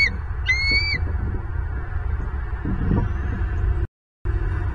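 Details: Bald eagle at a Southwest Florida nest, recorded by a nest camera on 24 November 2022: two quick, high whistled notes with a slight downward slur in the first second, over steady low wind rumble and a short dropout near the end.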